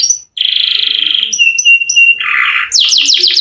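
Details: Canary singer with long rolling song, used as a prompt for reluctant canaries: a brief note, then a sustained buzzy trill, clipped high notes, a lower rasping burst and finally rapid falling sweeps.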